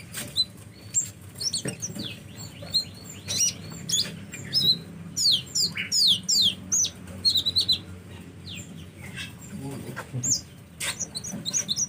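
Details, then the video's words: Sunbird calling in loud bursts of thin, very high chirps and sharp downslurred twitters. Several quick notes run close together, with short pauses between the bursts, over a low steady background hum. "KUMPULAN SUARA BURUNG KOLIBRI"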